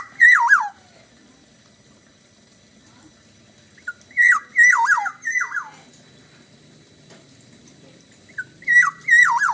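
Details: Black-naped oriole singing in the Bali style, giving loud fluty whistled phrases that loop downward with a harsh edge, in three bursts spaced about four seconds apart. Quiet room hum underneath.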